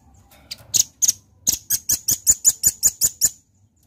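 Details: Velvet-fronted nuthatch in lively, full song: a few sharp high notes, then a fast, even run of about eleven bright, dry chipping notes at roughly two and a half per second, ending abruptly before a quiet background.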